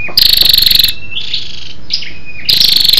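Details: Lure call of a female scarlet-backed flowerpecker, used to excite males: a fast rattle of dry ticks, then soft high chirps, and a second ticking burst beginning near the end.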